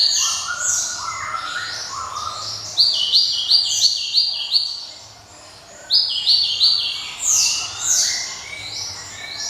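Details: Java sparrow singing a dense, ringing song: layered bright high notes and slurs, a series of sharp clinking notes, a short drop in volume, then another rich burst.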